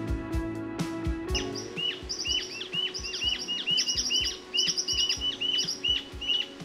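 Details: A pair of Rufous-tailed Jacamars singing north of the Orinoco, sound amplified: a series of high, thin, sharply rising-then-falling whistled notes repeated rapidly, some in quick stuttered clusters, after a brief burst of background music.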